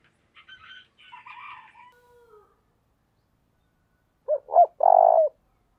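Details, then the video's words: Decoy spotted dove giving a calling coo in the thổ đồng style. A faint, high, crowing call from another bird comes first. Then a loud phrase follows: two brief hoots and a long, rolling, trilled coo. "tiếng cu mồi thúc bổi căng đét/ Tiếng cu gáy mồi chuẩn gáy gọi"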